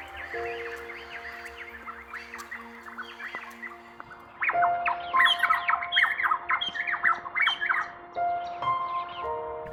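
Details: Varied Honeyeaters in a loose flock of twelve chasing one another frantically, calls turning into a many-syllabled cacophony: dense harsh squawky chattering notes, louder and busier after a few seconds, over sustained background music tones.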